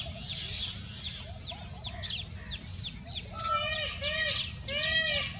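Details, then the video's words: Indian peacock giving three loud, harmonic, arching wails in the second half, each rising then falling, over a steady chatter of many small birds chirping. "Indian peacock Single Voice"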